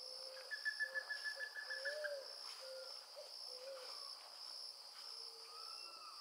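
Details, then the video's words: Narrow-billed Woodcreeper at Pouso Allegre, Pantanal, Brazil, 7 July 2019: a quick run of about a dozen clipped notes over two seconds, then softer scattered calls, over a steady high buzz of insects. "Narrow billed Woodcreeper"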